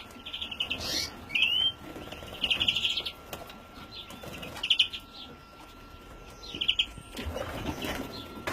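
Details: European greenfinch youngster, 2017: a short upslurred whistle followed by scattered rasping buzzy chirps at irregular intervals, with light background noise and a faint steady tone.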